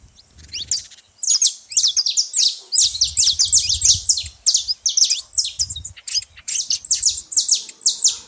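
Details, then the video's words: Noisy saffron finches at a feeding spot give a busy stream of sharp, high, downward-sweeping chirps, closely packed and overlapping, over a soft low rumble in the background. "canário da terra fazendo muito barulho na seva"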